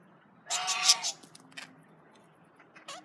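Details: A male budgerigar eating carrots gives one drawn-out, raspy, nasal squawk lasting about half a second, followed by faint clicks and a short squeak.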